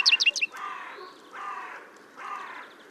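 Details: A European greenfinch sings in Kholm, Novgorod oblast, Russia, in April 2015: a quick burst of bright twittering notes, then three long, nasal, buzzy wheezes spaced about a second apart.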